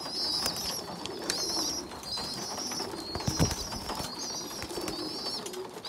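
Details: A poorly developed young pigeon feeding bigger, well-grown youngsters; a run of shrill, wavering squeals, each under a second, repeats steadily, with scraping and shuffling noises underneath.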